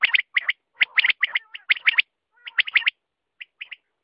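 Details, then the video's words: Quail calling in short bursts of two or three harsh, clipped notes, repeated about once a second, then trailing off into a few softer, spaced notes near the end. "Batair ka awaz"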